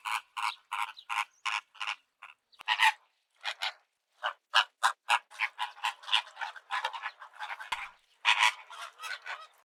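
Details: Flamingo calls: nasal, honking bursts in quick irregular runs, several voices overlapping as from a group, with short pauses between clusters.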